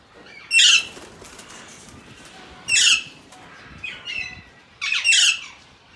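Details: Alexandrine parakeet uttering three loud, rasping screeches about two seconds apart, with a softer, shorter squawk between the second and third.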